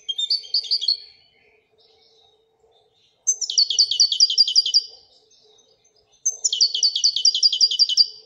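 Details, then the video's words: Wedania-style song of a Moroccan goldfinch: a short twittering phrase, a pause, then two long fast trills of evenly repeated sharp notes, each nearly two seconds long, over quiet background. "الحسون المراكشي لغة الويدانية"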